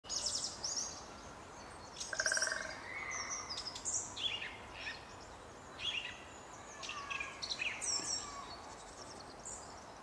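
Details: Song thrush singing: a series of varied short phrases of clear whistled notes and sharp high twitters, separated by brief pauses, set against steady faint background hiss.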